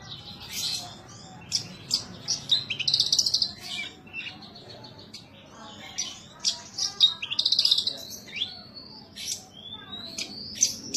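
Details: Captive bush lark in full gacor song: varied high chirps, buzzy trills and upward-sweeping whistles, delivered in irregular bursts with short pauses, over a faint low hum.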